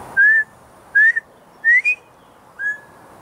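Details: A male Northern Bobwhite in Texas calls loudly from a nearby tree, trading whistles with a person; the owner guesses it is a mating call. It gives four clear, slightly rising whistles in about three seconds, the third ending upslurred, over soft hiss.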